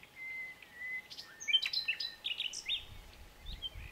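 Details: Common nightingale sings a long steady pure whistle, then a jumble of sharp chirps and twisted notes, with faint low noise near the end.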